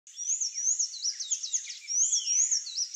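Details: Sayaca tanager song: a thin, high-pitched, squeaky twittering of rapid rising and falling notes, run together continuously for three seconds.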